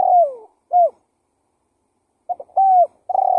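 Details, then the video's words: Spotted dove cooing used as a lure. The tail of one phrase, a falling trilled coo and short note, is followed after a pause by stuttered notes, a smooth coo and a rolling coo. Quiet background. "Suara Pikat Burung Tekukur Gacor KUK 1"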